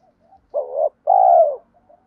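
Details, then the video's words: Lure call of a spotted dove for attracting other doves: a wavering coo, then a longer drawn-out note that slides downward, with faint soft notes between. "cu gay gọi 2 hậu và thúc đấu ba tiếng, giọng hay hạp bổi nhất hiện nay, mở nên bổi nghe phải gáy"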